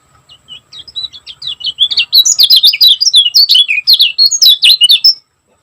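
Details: Lemon-bellied white-eye from Lombok singing in the fast, dense gacor style: a quiet start of scattered high chirps that builds after two seconds into a rapid, nonstop chatter of sharp, warbling notes.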